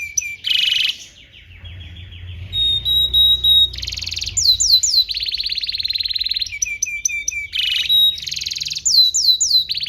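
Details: Canary singing in a long training recording meant to teach young birds: varied phrases of buzzy rolls, steady high whistled tones and quick descending notes, repeated several times per second, with a faint low hum at times.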